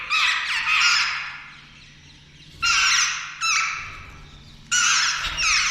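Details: Jungle babblers, a family group with chicks about to fledge, give harsh, squeaky, chattering squawks in bursts of about a second, four bursts in six seconds, with a faint low hum behind.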